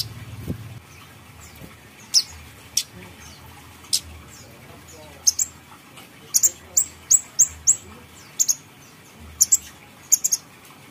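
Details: Lure recording of a grey-headed canary-flycatcher singing: piercing, very high short notes with a flicked downturn, sparse early on, then a rapid string of about six notes and later pairs, over a quiet low hum.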